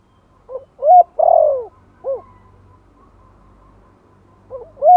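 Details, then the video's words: Spotted dove, Thổ style, a mild lure call for newly kept birds: one full low phrase, short note, strong coo, long falling coo and a detached end note, then a pause before the next phrase begins. "Tiếng chim cu gáy Giọng Thổ kích mồi nhẹ nhàng - Bổi mới nuôi nghe nhanh nổi."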